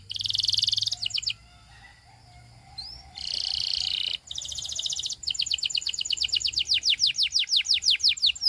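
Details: Belgian singing canary song intended to attract other canaries: loud buzzy rolls in bursts with quiet gaps, then a long, evenly paced series of quick descending whistles growing louder.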